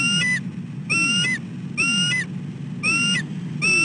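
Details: Bald eagle, a female, calling from the nest in the late afternoon of 15 December 2013 as her mate feeds on a dead tree; high, piercing whistles, each with a short slurred end, given in a regular series over constant low background noise.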